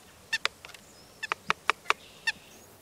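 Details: White-breasted nuthatch giving scattered nasal, honking notes, some single and some in quick pairs, against a hissy background with faint thin whistles from other birds.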